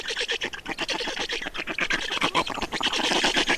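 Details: Wild black storks on an Estonian nest while being fed, 2019: quick rasping, stuttered pulses with a wheezy, breathy edge over a short burst.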